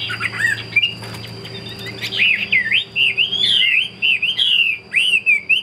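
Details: Chinese hwamei in a cage, kept for fighting, delivers a continuous rich warble of bright whistled notes that twist up and down, with a few sharp accents. A faint low hum and a steady high whine sit underneath.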